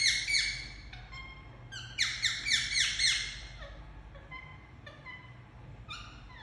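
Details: Pet Indian ringneck parakeet squawking in harsh bursts, a strong run of five quick descending calls in the middle, then quieter scattered chirps fading out.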